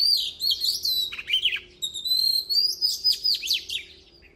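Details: Oriental magpie-robin singing continuously, a loud jumble of piercing whistles, buzzy rasps and fast rhythmic upslurred notes in quick pulses.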